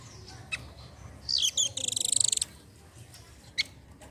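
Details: Velvet-fronted nuthatch, called rambatan doraemon, singing to prompt other birds: a few thin high notes lead into a fast, even, buzzy trill lasting about a second, over a steady background hiss.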